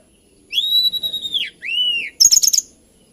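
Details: Hill blue flycatcher (tledekan gunung, Cyornis banyumas) song, a species of Kalimantan and Java known for its lilting voice: a long sustained whistle near one pitch, a shorter falling whistle, then a quick burst of high sharp notes.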